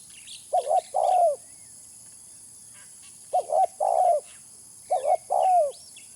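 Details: Spotted dove, a recording used to lure birds: three phrases of a quick rough double note followed by a longer hollow coo falling away, separated by pauses, with faint high chirping.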